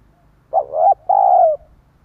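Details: Lure call of a spotted dove for drawing in wild birds: one loud coo phrase made of a short rising, wavering note and then a sustained, gently descending tone, against a quiet background.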